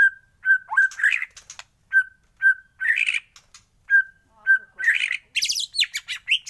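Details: Morning white-rumped shama song: a flat, clear whistle repeated about every second and a half, each followed by a brief scratchy burst, ending in a rapid high twittering phrase.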